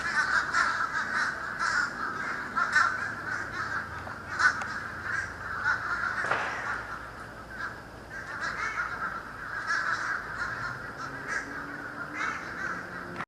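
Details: Vast flock of birds darkening the sky in Florida, 31 December 2011, taped on a camcorder as they began to disperse: an unbroken wall of overlapping raspy calls, swelling and fading, with occasional louder single cries.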